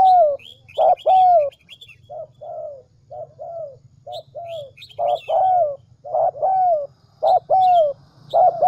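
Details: Spotted dove used as a decoy in Vietnam's Central Highlands, cooing steadily. Loud doubled coos alternate with quieter ones, each a brief note then a longer descending croo, with frequent high twitters from other birds.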